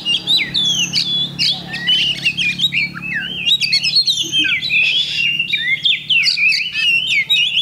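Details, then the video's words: Oriental magpie-robin in a cage at a songbird contest, 8 October 2020, pouring out rapid, varied whistled and chattering phrases with sharp upward and downward slurs, over a low hum of crowd noise. "Kacer Bagong Ngunci Mulai Semi"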